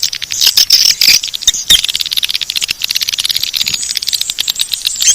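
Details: Calling sound meant to attract swiftlets, style Bangkit 18: crowded high chirps and rapid clicks, a few squeaky whistled notes early on, then a regular pulsing chatter to the end.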